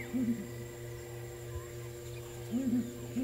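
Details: A female Southern Ground Hornbill, probably a lone bird often seen alone, calls on a wet African morning at sunrise, 21 February 2018: deep, booming, hoot-like notes in short doubled bursts about two and a half seconds apart, over steady low electrical hum.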